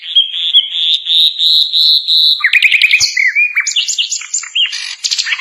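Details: Sikatan londo, or Asian brown flycatcher, tutor song for songbirds: a long steady high whistled note, then fast clicking chips and varied slurred high notes.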